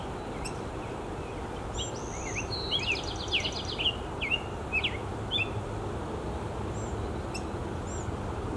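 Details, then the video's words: Black-headed grosbeak singing and calling at Salish Ponds City Park, Fairview, Oregon, on May 16, 2022: a rich, warbled run of rising and falling whistled phrases lasting a few seconds, followed by scattered short call notes. "Black-headed Grosbeak singing and calling"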